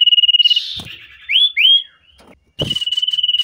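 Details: Common iora (sirtu cipoh) in breeding condition, excited on meeting a female, recorded as a lure for songbirds: a fast trilled whistle, two sharp rising slurred notes, a brief pause, then the rapid pulsed trill resumes.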